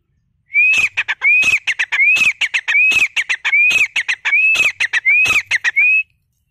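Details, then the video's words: Grey francolin call from a hunting outing: a short rising whistled note followed by a burst of sharp, harsh clicking notes, the phrase repeated about eight times, each under a second apart, with a quiet background. "Kamuju Sound"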